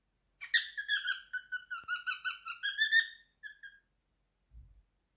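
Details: Indoors, a three-year-old male pet cockatiel whistles his favourite song: a quick series of about twelve bright, even whistled notes, slightly rising toward the end, then two softer notes and a faint low thump.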